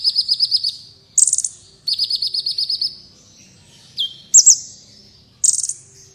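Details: Black Sunbird (kolibri wulung), recorded as tutor song for contest birds: buzzy rapid trills alternate with loud high squeaky bursts and a single down-slurred whistle.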